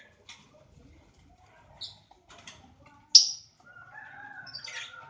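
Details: Lovebirds in a breeding aviary in Aceh, giving scattered short shrill chirps and squeaks, one loud sharp shriek near the middle, with faint low background noise.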